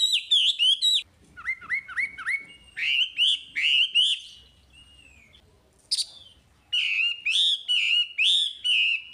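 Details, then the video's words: Chinese hwamei singing vigorously, a recording used to stimulate untrained caged hwamei: bursts of loud slurred whistles, then rapid runs of repeated up-and-down notes, a short pause, and a closing string of rich rising whistles. "Suara Wambi Gacor Untuk Pancingan Hwamei Bahan"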